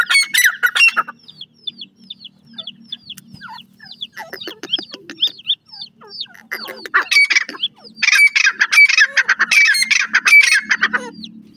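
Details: Female francolin calling to her chicks: harsh, rasping bursts in loud clusters, then thin, high, rising chirps scattered between them. A low steady hum runs underneath.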